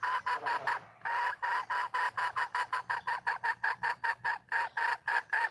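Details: Wild red junglefowl hen calling for a male: a steady run of about twenty short, harsh clucks, evenly repeated roughly three to four times a second, with one brief pause near the start.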